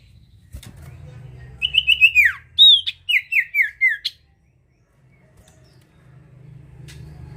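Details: Actively singing sirtu bird, whose song serves as a lure for other birds; one phrase of quick high chirps and downward-sliding whistles lasting about two seconds, with a low background hum before and after.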